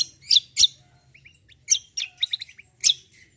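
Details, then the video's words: Black-winged myna singing a lively competitive song: loud, sharp chirps in bursts with soft short whistled notes between them, over a steady low hum. "KECIAL KOMBO CUCAK KOMBO TARUNG NGEROLL GACORR"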